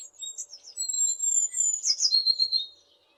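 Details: Tit in west Poland, captured on a Zoom H6 with a RODE NTG4 microphone, giving long, thin, high-pitched whistled notes that slide slightly downward, broken by a quick bright twittering flourish, over an otherwise quiet background.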